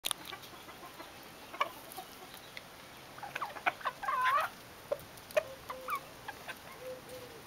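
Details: Vulturine guineafowl calling with scattered sharp clucks and clicks, a brief wavering whistled note near the middle, and low steady background hiss.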